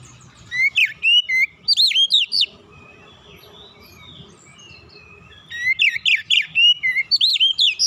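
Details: Oriental magpie-robin (kacer), an untrained bird, singing relaxed lure song to get other birds singing. Two long bursts of rapid, varied whistles and warbles, about a dozen loud notes each, split by a quiet pause.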